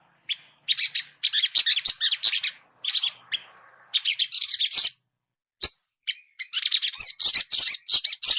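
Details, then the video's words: Young sunbird, kept for training, sings to prompt rapid chatter. Repeated high, scratchy twittering bursts with gaps, a sharp single chirp, then a final lively run. "suara burung sogon bahan agar cepat ngriwik,cuit cuit crett"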